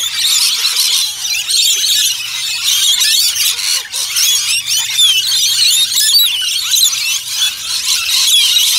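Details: A noisy flock of Rainbow lorikeets at Lone Pine Koala Sanctuary, Brisbane, gives a constant overlapping chorus of shrill, grating screeches and chattering squeals, with no pause.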